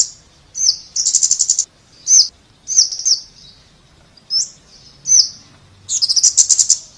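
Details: A scarlet-backed flowerpecker (Dicaeum cruentatum) sings very high, thin, sharp downslurred notes spaced about a second apart, broken by two fast buzzy trills.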